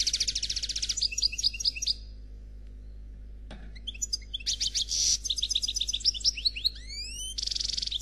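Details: Goldfinch song in the Noir Khalwi style, presented as error-free: dense fast twittering, a quiet gap, then trills, upward sweeping whistles and a final buzzy run.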